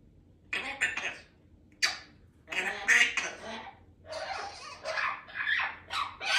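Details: Pet baby African grey parrot chattering one afternoon: a string of short, raspy, speech-like bursts and squawky phrases, some rising and falling, separated by brief pauses in a quiet room.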